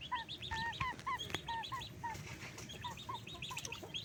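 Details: Backyard chickens being fed during the day, clear repeated arched calls rising then falling, two or three per second, several birds overlapping, with sharp clicks and a soft low background hum.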